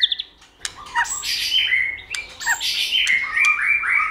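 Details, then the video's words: White-rumped shama song for rousing other shamas to sing, with brief whistles followed by harsh, noisy bursts mixed with slurred rising and falling whistled phrases. "Kích Chòe lửa hót nhiều giọng, Căng lửa, chòe lửa đánh đuôi kích cực nhạy.luyện chòe lửa hót hay"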